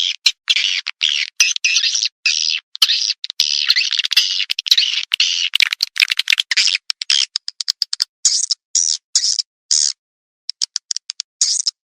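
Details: Calling sound for edible-nest swiftlets played through tweeters as a lure: continuous harsh, buzzy twittering that breaks into choppy chirps, ending in higher, thinner bursts with short pauses.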